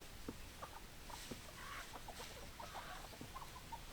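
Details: Hens clucking in a farmyard: short, scattered clucks and soft calls from several birds, overlapping over a steady background murmur.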